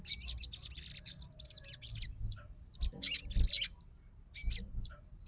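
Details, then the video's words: Sogon fighter responding at once on hearing another sogon sing: bright, high twittering phrases of rapid chirps, then separate short bursts with squeaky rising-falling notes, pausing in between. "SOGON FIGHTER LANGSUNG RESPON DENGAR SUARA SOGON GACOR"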